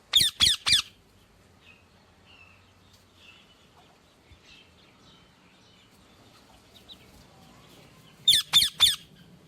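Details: Ringneck parakeet giving a rapid burst of three shrill, harsh screeches, then faint distant bird calls, and another three-note burst about eight seconds later.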